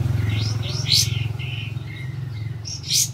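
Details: Olive-backed white-eye in full song, used to coax silent birds into singing; short high whistled notes and sharp chirps in quick succession, with a constant low droning hum beneath.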